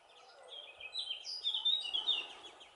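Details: A family of European greenfinches in Valleseco, Gran Canaria, on 23 June 2019 calling together: quick, overlapping high twittering chirps growing busier after the first half-second, over faint background hiss.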